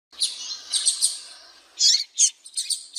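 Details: A female double-collared seedeater (coleiro) calls to stir up a male, giving high thin chirps in quick clusters: a burst early on, then several short sharp notes after a pause.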